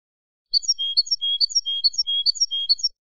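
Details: Málaga classic ancestral goldfinch song recorded as a tutor for young birds: a regular pattern of clear high notes alternating with short whistled slurs, repeated roughly every half second for two and a half seconds.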